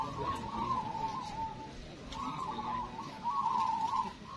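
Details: Local zebra doves at a singing contest give soft, rolling, trilled coos in three bursts, the first fading, then two stronger phrases after a brief gap, over a steady background murmur.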